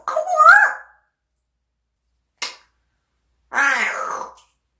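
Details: Household parrot whose learned voice the owner cannot explain, producing a drawn-out bending whine, a brief sharp click, then a longer raspy, descending cry, in a quiet indoor room.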